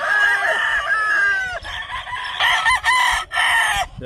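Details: On a Hawaii breeding farm, a rooster of black show-fowl lines gives a long, strained crow that drops at the end. Shorter, choppy crows from other birds follow, with no pause between them.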